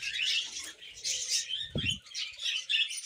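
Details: A flock of pet budgerigars chatters in waves of fast, scratchy warbling and squeaks. A short low thump or knock is heard near the two-second mark.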